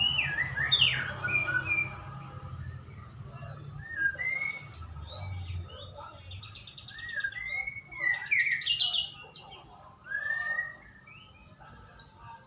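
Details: White-rumped shama lure song to make a bird sing: varied whistles and rapid buzzy trills come in irregular bursts over a steady low hum.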